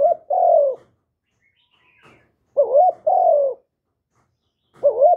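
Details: Vietnamese spotted dove giving calling and cooing phrases meant to stimulate newly caught doves; repeated low, soft coos, a broken double note leading into a long falling note, with quiet gaps between.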